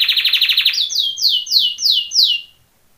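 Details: Training song of a canary: a quick rolled trill breaks into a series of clear, separate whistled notes, each sliding downward, about two per second, ending in silence.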